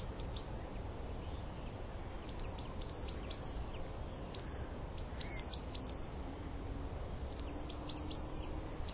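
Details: A coal tit in a garden sings varied thin, high two-note phrases, repeated quickly in short bursts every few seconds, over a faint low background hum.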